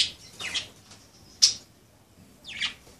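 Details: Pet budgerigars at play, a few scratchy chirps and one sharp bright note, separated by short quiet gaps.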